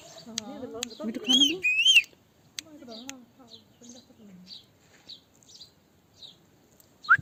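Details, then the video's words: Talking parrot producing speech-like babbled phrases mixed with two sharp whistled rising notes, then a string of soft, evenly spaced chirps and a final quick squeak. "Best Talking parrot video _ parrot talking"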